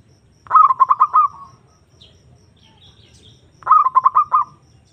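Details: Zebra dove lure call to draw a rival: two separate phrases, each a fast tumble of clipped notes ending in a drawn-out coo, about three seconds apart, with quiet between them.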